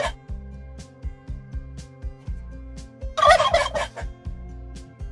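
A turkey gives one rapid, rattling gobble lasting about a second, over steady rhythmic background music.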